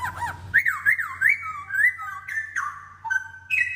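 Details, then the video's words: Masked laughingthrush pair newly housed in an aviary, giving rich whistled song: looping, warbling notes rising and falling in quick succession, several overlapping strands, with brighter upslurred whistles at the end; constant low hum underneath. "Sepasang Poksay Hongkong Penghuni Baru Di Aviary"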